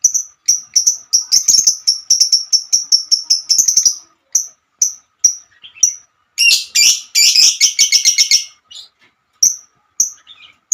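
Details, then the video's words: Female lovebird in a long chattering song, calling its companions: a fast run of high chirps for four seconds, then spaced single notes, then a dense buzzy rasping burst before more separate chirps; a low faint hum continues throughout. "Kicauan burung Lovebird"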